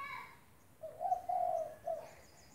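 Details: Spotted dove (tekukur), a lively calling bird used as a model for training other doves, giving a low hollow coo of three notes: a short note, a long drawn middle note, then a brief final note. Faint thin bird chirps sound overhead.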